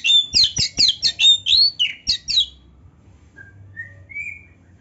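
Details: Kacer (oriental magpie-robin) in energetic gacor song rich in isian fill phrases, used as training audio for kacer: a quick burst of about ten sharp chirps and whistles over two seconds, then a few faint, thin whistled notes.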